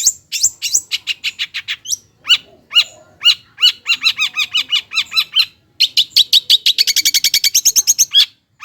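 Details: Long-tailed shrike (cendet) singing a lure song to prompt reluctant birds to sing: rapid repeated chattering notes in rhythmic series, varied harsh and whistled elements, accelerating into a dense high trill near the end.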